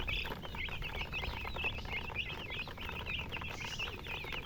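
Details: Baby chicks give clear, high chirps that rise and fall in small arches, overlapping in a busy chorus against a faint low hum.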